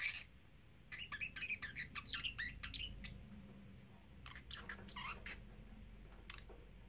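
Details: Three-month-old male pet parrotlet talking, repeating phrases like "Silly Birdie Bird"; a rapid string of high, chirpy, speech-like syllables at about three per second, a pause, then a second scratchier burst.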